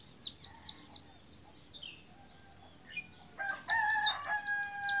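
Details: Pleci, or white-eye, in a cassava tree: rapid high descending chirps in a burst, a quiet stretch, then more chirps overlapping a louder steady tonal call from another bird.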